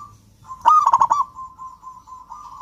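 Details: Zebra dove of the local Javan type in full song: one loud, quick, pulsing cooed phrase of several notes, with soft steady trilled cooing continuing before and after. Used to coax quiet doves into song.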